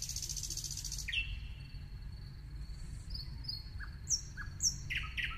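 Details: Song of a nightingale opening with a harsh high buzz, then a sustained thin whistle, a few soft dropping notes and two bright sharp high notes, ending in chirpy phrases; constant low rumble underneath.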